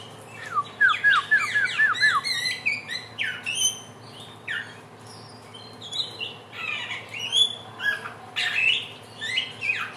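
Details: Varied song of a Helmeted friarbird (samyong), an NTB/NTT native nicknamed the bird of 1001 voices: a rapid run of short looping notes, then jumbled squeaks, chirps and harsh slurs over about ten seconds.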